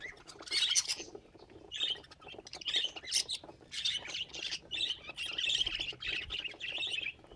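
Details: Budgerigars kept as pets give a steady stream of quick high chirps and squeaky warbling notes, packed closely together in pulsing bursts about every second.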